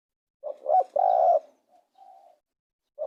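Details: Spotted dove giving a loud phrase of two short rising coos and a sustained mellow coo, then faint low notes and another short coo at the end.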